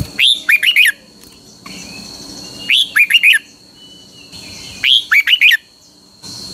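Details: Thai caged Red-whiskered Bulbul, Pa La-u stock, giving its double song: three matching phrases of four or five fluty, bouncing whistles, each about two seconds apart. A steady faint high whine runs underneath.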